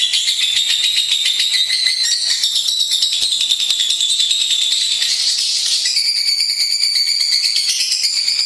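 A lovebird chatters in a long, unbroken stream of shrill, rapid chirps that shift slightly up and down in pitch, with no pause throughout.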